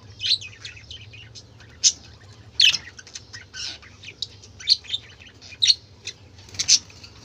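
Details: Colourful budgerigars making a noisy commotion: scattered sharp chirps and short squawks in bursts, with quieter twittering between louder notes.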